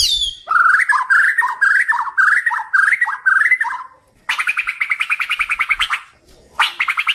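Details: Kalimantan white-rumped shama song used for training pet birds: repeated, bouncing, fluty whistled phrases, then a fast, buzzy, rattling trill, and a short final burst.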